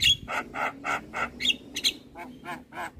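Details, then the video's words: A Javan myna singing as tutor song for young mynas, chattering steadily in harsh, buzzy notes, about three or four a second, with a few brief high whistles mixed in. "Jalak kebo Gacor MAsteran Untuk Semua Jenis Burung Jalak Muda"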